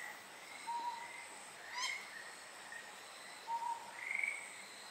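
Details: Amami woodcock on Amami Ōshima gives a few soft, mid-pitched hooting notes, one sharp buzzy note and a brief rising higher note, all over a steady background hiss.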